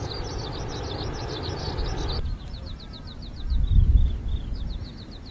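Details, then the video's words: A skylark in an open area in July, with temperatures near 30 degrees, sings enthusiastically: a high, fast stream of chirping, slurred notes with no pause, half-buried under a steady low rumble of wind and distant traffic. "Skylark is singing enthusiastically."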